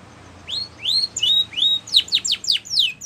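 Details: Training song of a white Spanish Timbrado canary: several smooth rising whistles, then a rapid series of sharp falling chips.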